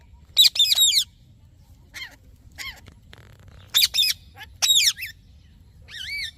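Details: Parrot producing scratchy, warbling chirps in clusters, with softer descending whistles between and a final wavering whistled note.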